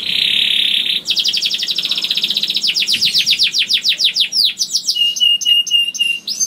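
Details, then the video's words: Juvenile canary singing to encourage other canaries to start: a long buzzy note, then quick repeated chirps speeding into downward-sweeping whistles, followed by clear level whistled tones and short clicks. "KENARI GACOR DOR NGEDUR NGOTOT CUIT CUIT NGEROL AMPUH PANCINGAN KENARI PAUD"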